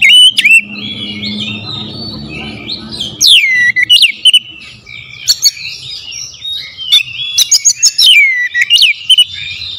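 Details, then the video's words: Oriental magpie-robin, called kacer, giving a loud lure song with sharp bursts: a rich, varied stream of warbled whistles and chattering notes, with swooping falling whistles and quick clicks. "PANCINGAN KACER POWER JELAS TEMBAKAN PEDAS"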